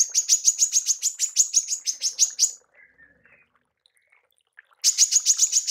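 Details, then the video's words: Female manggar giving tembakan calls, used for training songbirds: a fast series of sharp, high chips, about three to four per second, breaking off for two seconds and then resuming with faint soft notes in the pause. "TEMBAKAN MANGGAR BETINA"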